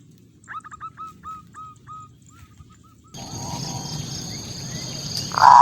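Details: Zebra dove (perkutut) singing, manggung style, played as a lure to provoke local rival perkutut. Soft run of short hooked notes, then a sudden burst of broad noise and a loud tone at the end.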